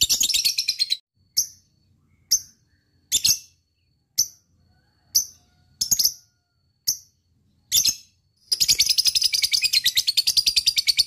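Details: Lovebird ngekek used to set off other lovebirds: a short chattering burst, then spaced single high chirps about once a second, ending in a fast continuous run of shrill notes.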